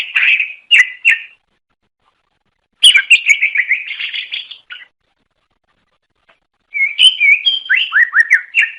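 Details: Greater green leafbird lure song: clipped chirps, a rolling buzzy phrase, a pause, then a series of loud down-slurred whistles repeated rapidly.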